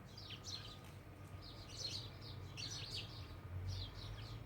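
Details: Several house sparrows give bursts of quick, high chirps in small clusters, separated by short pauses, over a steady low hum.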